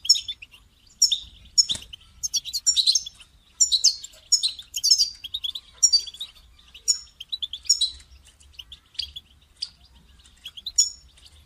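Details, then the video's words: Goldfinch calls and song to motivate a caged bird to sing, repeated short bursts of twittering and buzzy chirps about once a second, with a single sharp click near the start. "votre chardonneret ne chante pas voila la solution"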